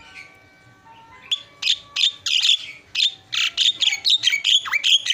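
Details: Energetic isian singing of a Javan myna: a faint steady whistled tone first, then loud, harsh, high chattering bursts tumbling quickly one after another with squeaky whistled tails.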